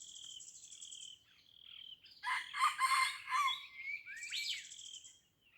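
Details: Red junglefowl from Aceh, at Blang Ulam, Krueng Raya: a harsh, broadband crow of about a second and a half in mid-clip. High whistled notes and a buzzy trill from other birds come before and after it.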